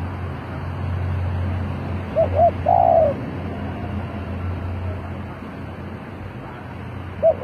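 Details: Spotted dove kept as a decoy to call in wild birds, giving one short hooting coo phrase, with a drawn-out middle note, over a constant low rumble, then a single note starting again.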